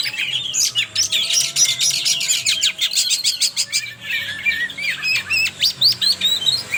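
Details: Oriental magpie-robin singing a lure for young speckled birds: a fast, scratchy torrent of high chirps and twittering notes, then buzzy phrases and repeated sharp clicks in steady pulses.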